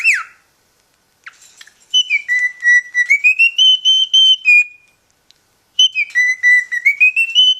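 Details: A pet cockatiel whistles the learned tune Dixie in clear, pure notes that step up and down in a melody.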